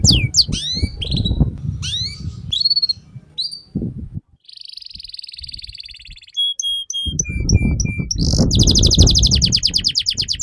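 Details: Canary song for teaching young canaries: sweeping chirps and twitters, a buzzy trill, flat whistles stepping down in pitch, then a fast high rattle over steady low noise.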